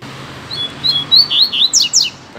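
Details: A caged Double-collared Seedeater taken outdoors in a neighbourhood in late afternoon sings loudly to draw another bird's attention: about eight high, clear whistles quickening into sharp downslurred chirps within two seconds, over a faint low hum.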